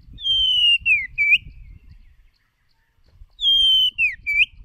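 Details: White-rumped shama, a lure bird singing for voice training: a long, clear whistled note sliding gently downward, a falling slur and a rising flourish, repeated twice with a pause between, over low background rumble.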